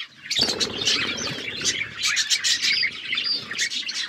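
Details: Several aviary budgies chattering: a flutter of wings at the start, then continuous high chirps, squeaks and warbled phrases from many birds together.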